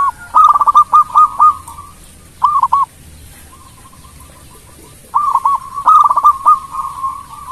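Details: Local Indonesian zebra dove singing actively, melodious song meant to prompt rivals to answer quickly: bursts of short, stuttering cooed notes, then a pause, a short phrase, a faint low trill, and a final run of rhythmic coos.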